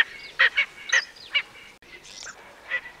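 Erckel's francolin gives harsh, grating cackles in a quick uneven burst of four notes, then a pause and a couple of fainter rasping notes.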